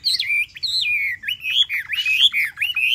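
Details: Chinese hwamei in a cage for three months delivers loud, fluid whistled phrases, each dropping sharply and then curling upward again, repeated several times in quick succession.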